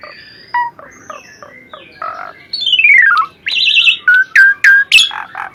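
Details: Energetic jalak suren (Asian pied starling) song for masteran tutoring: soft spaced chuckling notes, then a long falling series of whistles, a trilled warble, and several short loud upslurred whistles.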